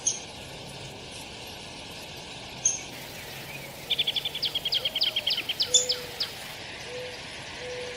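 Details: Downy woodpecker giving a quick rattling series of sharp, high notes lasting about two seconds, the notes tumbling closely together, set against a steady low hum with a few faint isolated chirps before and after.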